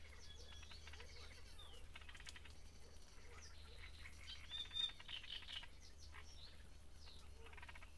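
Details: Great reed warbler at Grachevka during breeding, filmed near its nest: faint, harsh, rattling bursts of stacked chattering notes, loudest around the middle, with soft chirps from other birds and a steady low rumble throughout.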